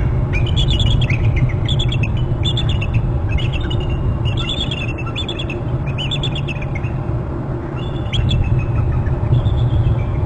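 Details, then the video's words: At a Hornby Island nest, a pair of eagles calls and trills as the father arrives. Rapid bursts of high, piping, slightly falling notes repeat through the clip, then thin out near the end, over constant low rumbling background noise. "dad up from scootch; both are calling and trilling"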